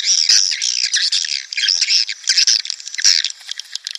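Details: Swiftlet calls used as a lure to draw breeding swiftlet colonies into a nest house: dense, continuous high chattering and twittering with rapid buzzy bursts, unbroken across the clip.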